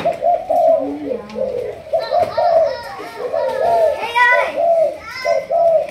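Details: Malaysian spotted dove of a 'thúc gù' cooing line, kept for training as a decoy bird: mid-pitched, slightly wavering coo notes in an uneven series, with higher chirpy, voice-like sounds overlapping in the second half.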